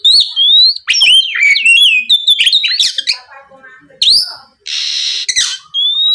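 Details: Oriental magpie-robin singing a fast, energetic lure song to draw a rival's reply: looping whistled notes and rapid chatter, a soft run of quiet notes mid-way, and a brief broadband hiss near the end.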